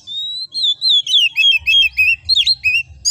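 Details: Oriental magpie-robin, locally kacer, in ngobra-style master song: an opening pure whistle, then evenly spaced looping whistled notes about three per second, wavering and descending, with a low hum in the background.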